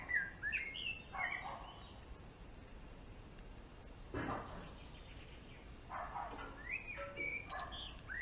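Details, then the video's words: Short twittered phrases from a male European greenfinch at the beginning and end, with quick up-and-down whistled notes; a dull low thump sounds in the middle. "Verdone maschio !!"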